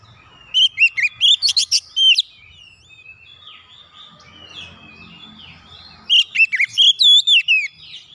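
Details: Oriental magpie-robin singing, as a remedy for a bird that stopped singing: two dense bursts of rapid, varied whistles and chirps about four seconds apart, with soft scratchy bird notes and low hum between.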